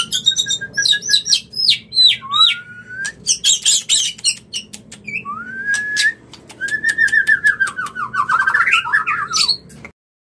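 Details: White-rumped shama mating song used to bring birds into breeding: rich varied phrases of clear whistles, rising and falling slurs and sharp clicks, with a long wavering trilled whistle near the end, delivered in quick bursts.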